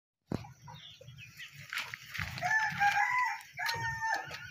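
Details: A red junglefowl, possibly a captive male caught about a month earlier and heard crowing in the morning, gives a harsh, stuttering crow of several rough notes lasting about three seconds, over a steady low throbbing rumble.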